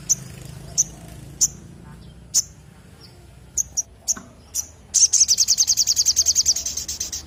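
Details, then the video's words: Sogon bird in full song: a series of isolated sharp high chips spaced about a second apart, then a fast, steady, very high-pitched trill of about twenty notes. "BURUNG SOGON GACOR"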